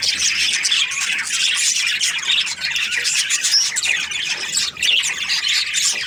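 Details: Happy breeding-season Australian budgies produce a constant, high, chattering chorus of fast chirps, squeaks and rough squawks, overlapping with no clear gaps.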